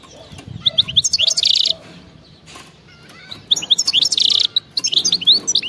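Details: European goldfinch, a wild-type (khalawi) singer, in fast btebta-style song: two bursts of twittering, buzzy, rapidly modulated high notes split by a quiet pause near two seconds, with faint low background hum.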